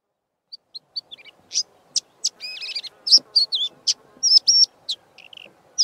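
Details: Karoo scrub robin singing its usual song with bits of mimicry of Diederik cuckoo and pin-tailed whydah: a rapid varied run of high thin chirps, short whistled slurs and buzzy notes, some rising and falling, packed closely together.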